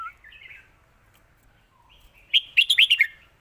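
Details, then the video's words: A red-whiskered bulbul performs the 'lak wai' master song. Soft, gliding warbles lead into a loud burst of six quick, chirpy whistled notes that drop at the end. "นกเสียงทอง!!เพลงลากหวาย สุดยอดเพลงแม่บท"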